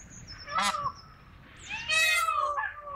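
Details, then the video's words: Several peafowl calling, a short wailing note followed by a longer, loud, nasal, harmonic-rich cry that rises slightly and then falls. "peacock song"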